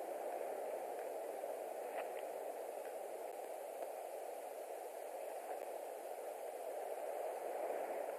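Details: Constant broadband hiss of static throughout, with a few faint clicks and no animal calls.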